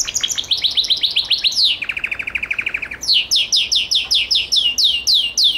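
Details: Gloster canary: quick high trill, then a lower, very even rolling trill, then a row of clear down-slurred notes repeated about three per second.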